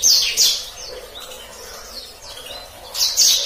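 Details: Black-throated canary singing in the continuous rolling gacor ngeroll style used as a master song for canaries to learn: bright high twittering bursts at the start and end, with softer thin slurred notes between.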